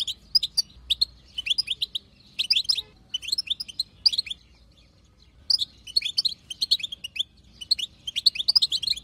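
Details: Wild female European goldfinch batbata chatter, meant to make a male goldfinch sing: grouped bursts of thin, tinkling chirps with a longer pause around five seconds before lively twittering resumes.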